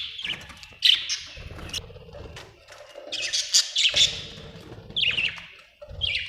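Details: Budgerigar, an Australian bird, chirping: bursts of scratchy, buzzy chatter and squawky notes, high-pitched and uneven. Short pauses fall between the bursts, with faint low knocking sounds underneath.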